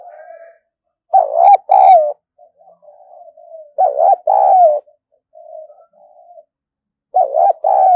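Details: Spotted dove kept as a decoy bird, cooing loudly in three two-part phrases. Each is a strong, husky coo-croo, with soft, low, murmured notes in between. No other sounds are heard.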